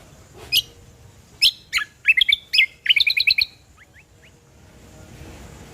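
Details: Ruby-throated bulbul, original voice for luring and tutoring birds: loud sharp chirps leading into a fast run of repeated bright notes, then three faint downslurred notes before quiet.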